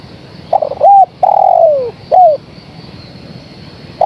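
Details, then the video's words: Female spotted dove calling the male. Stuttered opening notes, an arched coo, a long falling coo and a short curved last note form one low phrase. A new phrase begins just at the end. "Suara Tekukur Betina Gacor Memanggil Sang Jantan"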